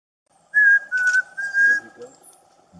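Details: A male Chestnut-crowned Antpitta in Rio Blanco Nature Reserve, Colombia, holding food, whistles to a female in courtship feeding: three clear, mid-pitched notes, the middle one slightly lower, over a faint hum and distant voices.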